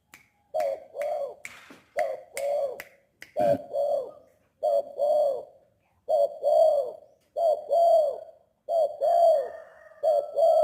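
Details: Tame spotted dove cooing steadily, each low mellow phrase a short note followed by a longer rounded coo, repeated about every one to one and a half seconds; a sharp click near the middle and faint steady high tones behind.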